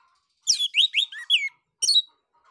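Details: Orange-headed thrush in clear, open ngeplong song to lure other birds into singing: a lively run of four rich, warbled, rising and falling whistled phrases, then a sharp high closing note.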